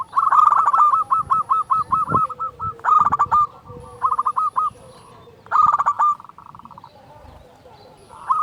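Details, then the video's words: Loud-voiced local zebra dove singing to make other doves sing: a long stream of rapid, clipped coo notes, then several shorter bubbling bursts with pauses between. "Perkutut lokal gacor SUARA BESAR pancingan burung perkutut agar bunyi"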